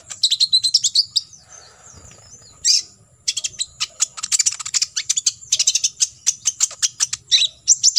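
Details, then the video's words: Fast, shrill chattering trills of an olive-backed sunbird, a near-continuous stream of high tweets after a short gap. This 'tembakan isian' song is intended as a master recording for contest sunbirds to copy. "KOLIBRI NINJA (KONIN) FULL TEMBAKAN ISIAN"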